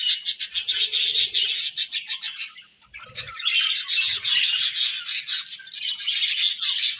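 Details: Loud budgerigar chirping: rapid pulsed chatter of high, scratchy notes, a brief pause near the middle, then continuous warbling twitters.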